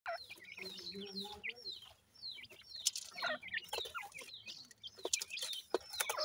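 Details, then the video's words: Baby francolin chicks calling together: many thin, high, downslurred peeps overlap in quick succession, with short gaps and a few lower soft notes early on. "baby teetar francolin chicks, partridge birds lovely awaz"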